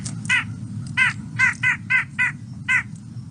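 White-breasted Nuthatch giving nasal, slightly buzzy yank notes, seven in about three seconds at uneven intervals with irregular pauses; faint low hum beneath.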